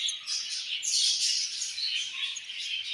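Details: Budgie mother feeding her baby, heard as a loud, unbroken wash of high, rasping chirps and squeaky twitters filling all three seconds.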